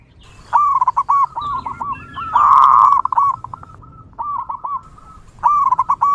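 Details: Wild local zebra dove, recorded for luring other zebra doves, giving rapid trilled cooing notes at about three per second, with a brief harsher, noisy burst in the middle and a final short phrase.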